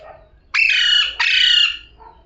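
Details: Talking parrot uttering two loud, grating two-syllable bursts in quick succession, rich in harmonics and sliding slightly downward, followed by a soft low murmur; otherwise quiet surroundings.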